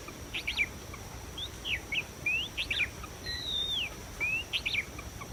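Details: Wild white-rumped shama heard while being trapped, delivering quick slurred whistles and short rising and falling notes in loose bursts, with a steady high insect-like hum running underneath.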